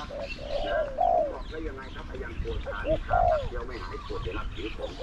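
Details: Caged spotted dove used to lure wild doves. It utters low coos, short notes followed by a drawn-out falling coo, twice, while a man's voice talks steadily underneath.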